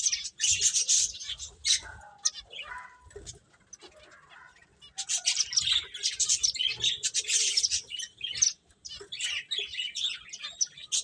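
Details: Finches playing: a few scattered high chirps, then a long stretch of busy, overlapping twittering from several birds.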